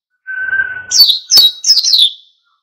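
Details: Wild-style ngalas song of an oriental white-eye, meant to provoke other birds to sing: a plain, level whistled note, then three or four quick, bright, descending high chirps.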